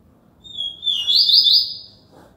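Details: Song of a Yellow-bellied seedeater from Alagoas, Brazil: a sustained high whistle sliding into a loud, rapidly trilled warbling flourish that peaks midway and tapers off, with faint low background noise.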